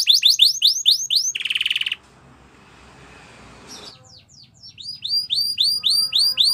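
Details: Canary singing a training song: high rising whistled notes repeated about four times a second. A short buzzy burst and a noisy gap break the series, then the rising whistles resume.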